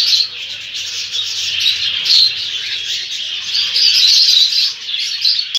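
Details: Lovebird fighting with an Indian ringneck parakeet: dense, continuous, shrill high chattering and squeaky chirps, with louder screeching bursts throughout.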